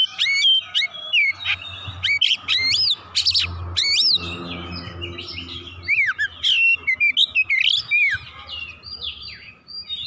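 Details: Oriental magpie-robin singing in an excited state with full repertoire: loud harsh buzzy bursts alternating with looping whistles, then a busy run of varied warbled notes and swooping phrases.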